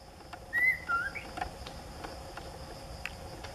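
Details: Streak-breasted scimitar babbler at Tai Tong, recorded 7 October, giving a few clear, mellow whistled notes that step downward, over a faint steady background hiss.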